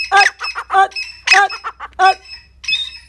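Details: Grey francolin giving rough, squawking notes in quick uneven clusters, loud and harsh throughout.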